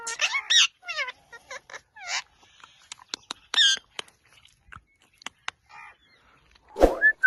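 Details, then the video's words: Pet rose-ringed parakeet, a talking ringneck, giving a run of harsh descending squawks and short chattering notes, then scattered clicks and a loud burst near the end with a brief whistled note. "talkingparot birds nonstoptalkingparrot talkingparrot mithukibatain"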